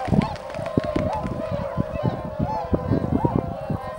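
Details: Tundra swans gathered at Shiotsu-hama on Lake Biwa, Japan, on 3 March 2012, shortly before their northward migration: a flock giving overlapping nasal honking calls, many voices at once, over low rumbling background noise.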